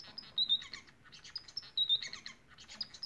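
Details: Bengalese finches, also called society finches, singing: rapid bursts of short, bright chattering notes with thin whistled slurs, in phrases of about a second that repeat twice, over a quiet background.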